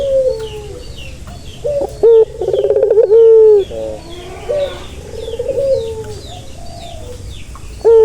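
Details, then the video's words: Turtle dove cooing to calm a stressed bird: a soft low phrase, then one loud rolling coo ending in a steady held tone, then a quieter rolling coo, with thin high chirps of other birds in the background. "Suara santai yang bisa mengobati burung puter yang lagi stres"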